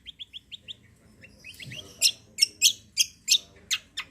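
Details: Kecial kombo, also called cucak kombo, in energetic gacor song used as a lure to get other birds singing: a few clipped high chirps, then loud, harsh, broadband bursts spaced roughly every third of a second.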